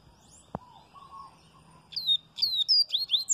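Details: Double-collared seedeater (coleiro baiano), viviti song style: after a quiet stretch with a single click, a quick run of sharp, high, sweeping whistled notes starts and continues to the end.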